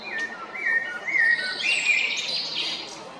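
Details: Male Eurasian blackbird singing at Jarun in Zagreb, Croatia, on 22 April 2021: low fluted whistles slide around the middle register, then give way to a brighter, higher twittering flourish.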